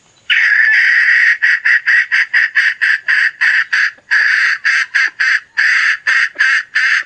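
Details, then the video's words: Domestic hen giving a loud, rasping call of evenly spaced harsh notes, a few drawn out longer, repeating steadily for about seven seconds. "suab poj qaib seev dib tuaj 100%"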